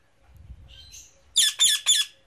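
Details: From a tree, an Indian ringneck parrot utters a soft nasal note, then three strong, raspy squawks evenly spaced about a quarter second apart over faint low rumble.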